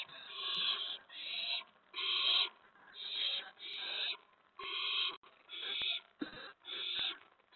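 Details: Owl nest on the evening of April 19, 2017, about 8 PM, as the adults each bring food to the owlets. Nine short, coarse hissing screeches repeat about once a second, with a few light clicks between them.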